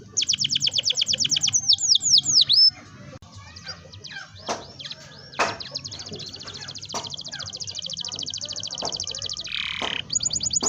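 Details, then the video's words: Canary rolling song played to encourage young canaries to start singing; fast repeated high trills and sweeping notes at first and near the end, with a quieter, cluttered middle stretch of scattered chirps and clicks. "kenari gacor ngerol panjang ini 100% ampuh buat PANCINGAN KENARI paud belajar bunyi/malas bunyi"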